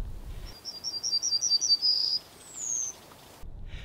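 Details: A yellowhammer, bird of hedgerows, woodland edges and bushes in meadows, in spring sings a somewhat nasal, always-repeated motif: about eight quick, thin notes, then a longer note and a final high, drawn-out one, over faint rural hiss.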